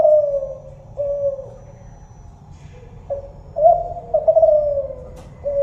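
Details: Spotted dove, Kelantan variety, giving repeated mellow coos: a long wavering note opens, followed by level coos, then a renewed burst of tremulous, slightly falling coos and a final coo.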